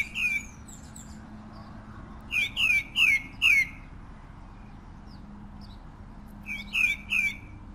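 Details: Pale-breasted thrush giving bright downslurred notes, a single note first, then a tight series of four, and later a group of three, over a low steady background hum.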